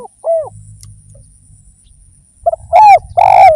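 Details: Spotted dove (derkuku) lure recording: a lone soft coo, a pause with low rumbling noise, then the start of a phrase with a stuttered note, a falling coo and a long rough coo.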